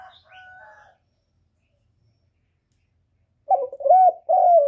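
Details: Spotted dove lure call meant to provoke other doves into cooing back: faint higher tonal notes at the start, a long silence, then loud, low, hoarse coos with a short lead note and a drawn-out hooting phrase.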